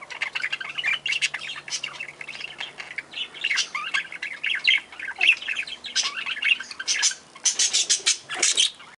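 Lineolated parakeets chatter in a steady stream of bright, scratchy chirps and short squawks, several birds overlapping with no pause.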